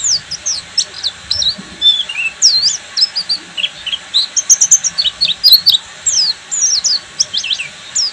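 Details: Full ngeriwik song from a Buxtomi Oriental white-eye: busy, high, chattering twitters with sweeping slurred notes and brief clicky bursts, continuing almost nonstop over low hiss.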